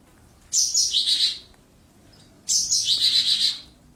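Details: Lark kept in a tall cage delivers two similar high, buzzy trilled phrases about two seconds apart, each dropping slightly in pitch midway, with quiet pauses between.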